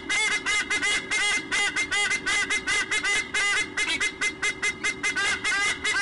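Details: Pair of white-bellied sea eagles trading places on the nest, recorded by nest cam 7/1/2015, squonking nonstop: rapid run of harsh, honking notes about two to three per second, overlapping in duet, over a constant background hum.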